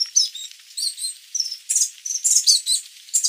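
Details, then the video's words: Sooty babbler, Stachyris herberti, giving a rapid series of high chattering and chirping notes, bursts of buzzy, jumbled twitters tumbling over one another for several seconds with no other sounds. "Tiếng chim Khướu đá mun, Sooty Babbler, Stachyris herberti [Bird sound]"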